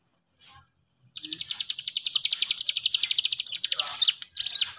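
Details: Lively sooty-headed bulbul singing to stir other birds into responding, a quick run of sharp repeated high notes over three seconds, closing with slurred whistled phrases and a brief final burst.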